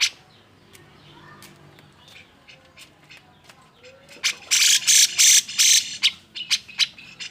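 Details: Agitated grey-cheeked bulbul song meant to spur other bulbuls to sing: a few faint notes over background noise, then a strong run of loud harsh rasping bursts about three per second.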